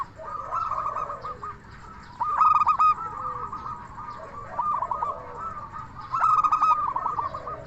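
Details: A local zebra dove gives its 'crystal' lure song, aimed at making silent or stressed doves respond: two loud groups of crisp coo notes about four seconds apart, surrounded by quieter rolling and trilled cooing of other doves.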